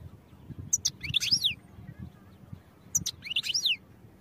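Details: Goldfinch singing for training, two short twittering phrases about two seconds apart, each a few sharp high chirps followed by a slurred downward-sliding trill, with faint low background noise.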